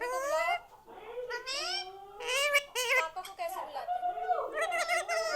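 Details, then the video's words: Tame pet Indian ringneck parrot indoors, taught to say mummy papa; harsh nasal voice-like syllables with wavering tones, several short phrases separated by brief pauses. "parrot talking।। मम्मी papa बोलने वाला तोता"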